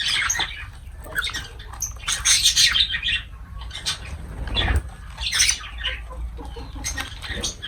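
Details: Lovebirds while feeding, kept as pets: harsh, scratchy chirps and squawks in rapid overlapping bursts, loudest around the middle, over a low rumbling background and faint rustling.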